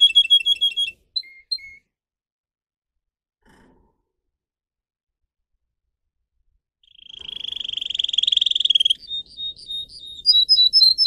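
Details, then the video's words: Pet singer canary in song training: short bursts of high chirps, a long quiet pause, then a swelling rolling trill and rising whistled notes repeated to the end. "Canary song video - type of song"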